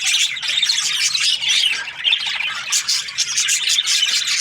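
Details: Happy budgerigar chirping, a busy, unbroken stream of shrill squawks and quick twittering notes layered over one another, with sharp louder bursts every fraction of a second.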